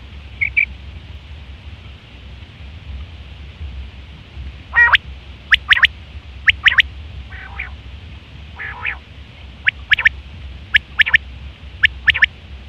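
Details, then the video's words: Quail in September 2023, sound for hunting and mating: scattered bursts of two or three sharp high notes, a few hoarse rasping notes between, gaps of quiet, low constant hum underneath. "Quail fresh sound sep 2023/ batair ki awaz"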